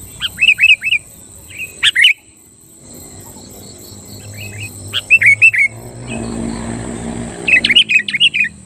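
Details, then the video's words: Lively sooty-headed bulbul song played to provoke rivals: clusters of bubbly chirped notes, a sharp loud note near two seconds, more phrases around five seconds, and a final burst, over a low rumbling murmur. "Suara burung kutilang gacor Ampuh Menekan Lawan Kutilang Lain Langsung Emosi dan Ikut Gacor"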